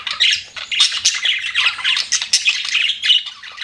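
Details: Several pet budgerigars keep up a nonstop squawky, twittering chatter, with short harsh notes and bright chirps tumbling over each other.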